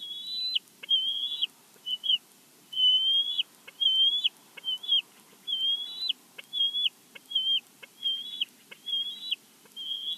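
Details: Bald eagle calling at the Big Bear nest, captured by a live nest cam: steady run of clipped, high whistled notes, each starting with a sharp tick and ending in a quick downturn, roughly one per second.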